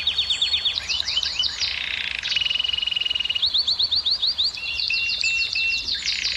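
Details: Canary song offered to excite female canaries into breeding: fast rolling trills of rising notes, a long buzzy tour, then a steady high whistled trill and more quick repeated phrases, high-pitched and continuous.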